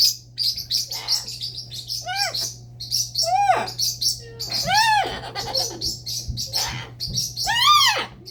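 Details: Pet parrot vocalizing: a series of loud, arched whistles that rise and fall, some repeated in quick pairs, mixed with sharp high chirps and a steady low hum in the background.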